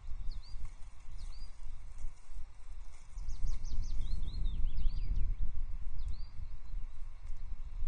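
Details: Ospreys at their nest at Loch Arkaig, 4 May 2024, as the female returns with a stick and lands on the male; high, hooked whistled chirps repeat in short bursts over strong low wind rumble.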